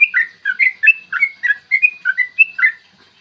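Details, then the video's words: Yellow-vented bulbul in full 'ropel panjang' morning song, meant to stir other bulbuls to sing and fight; dense, rapid chain of warbling notes, closely spaced and steady, ending after about three seconds. "trucukan gacor TARUNG ROPEL PANJANG pancingan trucukan agar BUNYI dan EMOSI"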